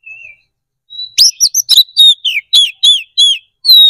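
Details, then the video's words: Oriental magpie-robin in loud, open fighting song used to provoke a response from rival birds: a soft thin whistle, then a burst of bright, sharp, varied whistled notes with rapid sweeps, about a dozen in quick succession. "KACER GACOR NGEPLONG TARUNG !! PANCINGAN DASAR PALING AMPUH BUAT MENAIKAN EMOSI KACER AUTO RESPON"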